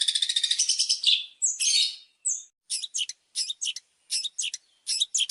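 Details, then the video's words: Varied opening song of a long-tailed shrike, used to provoke other birds: a quick high rattle and squeaky slurs, followed by paired sharp chipping notes repeated at short, uneven intervals. "Kicauan pembuka cendet yang bersemangat dengan berbagai melodi awal yang kuat dan bervariasi."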